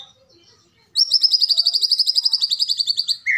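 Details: Medan white-rumped shama giving its keretekan rattle to call out a rival: after near silence, a fast, even, high-pitched chattering rattle of about twenty pulses, ending in a short lower note.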